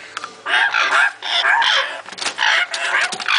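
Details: African grey parrot chicks, captive young birds in Slovenia, recorded in 2009, giving harsh, rasping, overlapping squawks and churring calls almost without pause.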